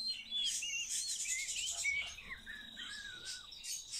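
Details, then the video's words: Starling in training to talk pours out a fast, varied warble: looping whistled notes, rising and falling slurs and scratchy high chatter run together without pause. "Обучение скворца разговору"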